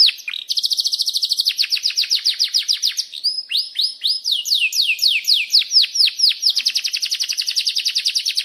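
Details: Canary singing a long rolling song to spur other canaries: it opens with a very fast even trill, shifts to slower sweeping whistles, and ends in another rapid run of notes.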